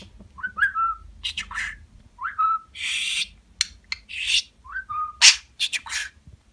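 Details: Budgerigar kept as a pet, really recorded, alternating short rising whistles that flatten into a held tone with bursts of harsh, buzzy, speech-like chatter, in a steady back-and-forth pattern.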